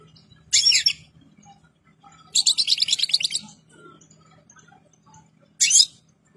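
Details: European goldfinch, ready and in full plumage, singing three bursts: a brief twittering phrase, a longer rapid buzzy trill of tinkling notes, then a short sharp burst, over a faint steady low hum.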